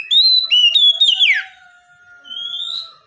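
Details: Kacer singing a filled-in training song: a rapid run of choppy whistled notes that slides down into a buzzy slur, a pause, then one long rising whistle.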